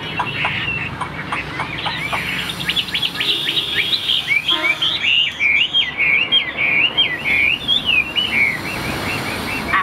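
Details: Tame Chinese hwamei kept in a cage, pouring out song: scattered short notes building into a dense, fast chain of bright twisting whistles with a steady, pulsing beat.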